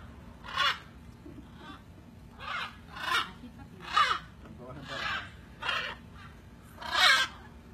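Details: Macaws at feeding time give loud, harsh, raspy squawks, about seven bursts spread unevenly over eight seconds, over a low background hum.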